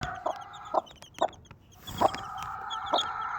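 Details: Desi mother hen with four baby chicks: low, soft single clucks spaced irregularly, about five in three seconds, while the chicks give faint high peeps in the background.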